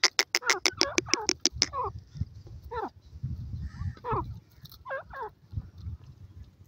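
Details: Grey francolin chicks calling: a fast run of about a dozen sharp, down-slurred peeps in under two seconds, then scattered single peeps over a low rumbling background.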